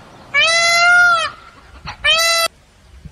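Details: Peacock calling: two loud, nasal wailing cries, the first held about a second, the second shorter after a brief pause, each rich in stacked harmonics with a slight rise and fall, over a quiet background.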